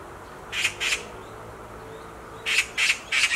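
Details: Black magpie screaming from a tree branch: two harsh, raspy notes, a pause of about a second and a half, then three more scratchy screams in quick succession.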